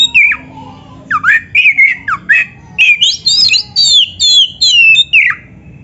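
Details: A white-rumped shama sings energetically for training other shamas, rapid sequence of short whistled and squeaky phrases, some swooping downward, about two per second, over a low background hum.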